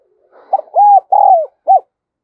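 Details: Spotted dove decoy, 'đồng son' voice, calling to draw in wild doves: after a quiet murmur, one phrase of four hollow coos, the middle two long and arched, the last short.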